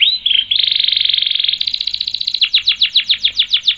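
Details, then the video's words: Canary singing its long rolling song as tutor and bait audio: a short note, an extended buzzy trill lasting about two seconds, then a rhythmic series of loud downswept whistles. "MASTERAN & PANCINGAN KENARI GACOR NGEROL PANJANG"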